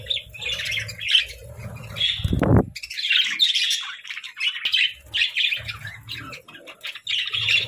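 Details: Playful pet budgies produce bursts of high twittering and scratchy squawks, interrupted once by a short low thump, then steady chatter continues.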